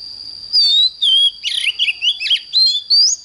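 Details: Morning singing of an oriental magpie-robin, a training recording: clear sliding whistles, a jumble of scratchy buzzy notes in the middle, then bright rising whistles at the end, over a steady thin background tone.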